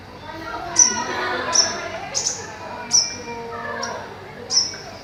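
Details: Captive greater green leafbird (Chloropsis sonnerati), kept in a cage above a pond, sings sharp, very high whistled notes roughly every three-quarters of a second over a steady rush of water and murmuring background noise.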